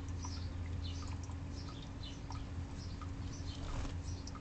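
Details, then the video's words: Several house sparrows taking a dip in a bird bath, with a sneaky juvenile common grackle nearby: quick, thin chirps repeated unevenly, set against low background rumble and water patter. "House sparrows in bird bath interrupted by sneaky grackle"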